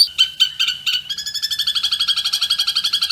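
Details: Long-tailed shrike (cendet) master song of the kuntilanak gereja tarung type, used to train caged birds. A few harsh, scratchy notes open it, then speed up into a steady rattling trill of quick, evenly spaced high chips.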